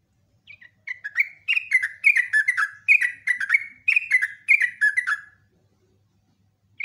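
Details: Sooty-headed bulbul delivering a long lure song: a continuous run of rich, liquid, slurred whistles for about four seconds, then silence and one closing note.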